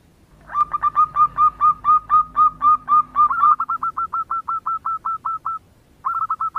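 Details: A female zebra dove's lure call to a male: a long string of some twenty bright whistled notes, shifting into a faster, clipped series, a brief pause, then a few more rapid notes.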